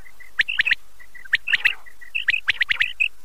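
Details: Quail calling, used by hunters: sharp clipped notes near the top of the range in quick groups of three, two bursts about two seconds apart, with softer steady whistles and chirps from other birds between them.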